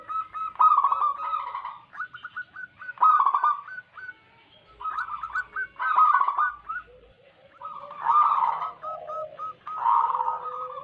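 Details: Wild local zebra doves recorded as a trapping lure, several birds trading bubbling trills and quick series of clipped coos through the recording, with lower coos between.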